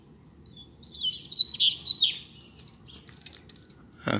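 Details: Rusty-collared seedeater, one of a pair outdoors on a street, gives a rapid warbled phrase of high tumbling notes for about a second, followed by scattered faint ticks and a short low thump at the end.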